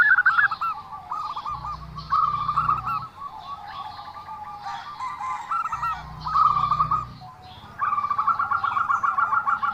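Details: Zebra dove uttering unusual calls in repeated bouts of fast, rolling coos, separated by quieter gaps, with intermittent low droning sounds in the background.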